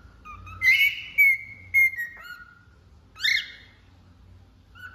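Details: A cockatiel pairs low whistled notes with a run of clear higher whistles, then gives a raspy rising squawk after a pause.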